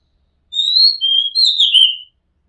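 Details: Oriental magpie-robin from a rooftop recording: a single loud, sweet phrase of three whistled notes, the last slurring downward, clear and close.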